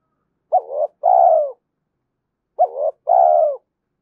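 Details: Spotted dove cooing, a recording meant to stir and train decoy birds: two-part phrases, a short rising note then a longer falling coo, repeated twice about two seconds apart against a quiet background.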